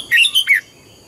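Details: Brief burst from a red-whiskered bulbul's morning song in double-note wild style: three fast, bright slurred whistles, the last dropping in pitch, then quiet.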